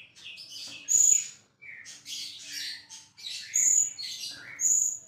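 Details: A champion white-rumped shama pours out dense scratchy warbling mixed with sharp, very high pure whistles recurring about every second and a half.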